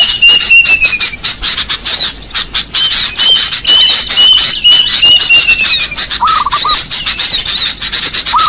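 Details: Recording used to lure small birds, full of shrill, crowded chattering and high squeaks, with thin drawn-out whistles and a short burst of rapid lower notes near the end.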